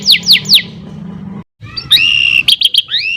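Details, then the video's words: Caged canary singing a stimulating song: three quick descending sweeps, a short pause, then rising whistled notes and a few clipped chirps over a low hum. "PANCINGAN KENARI GACOR PANJANG | CANARY SINGING"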